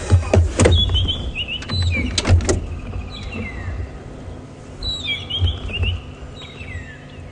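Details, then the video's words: Magpie shrikes at Djuma Game Reserve, South Africa, on a morning drive on 24 February 2016 give clear, liquid downslurred whistles in two bursts, possibly alarm calls, with a white-browed scrub robin also calling, over vehicle engine rumble and clatter. "So some magpie shrikes calling,"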